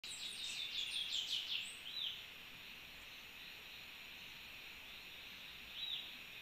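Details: An Orange-billed Sparrow visiting a feeder on 17 June 2023 gives a quick series of thin, high chips and short sweeping notes, then a lone call near the end, over a steady hiss.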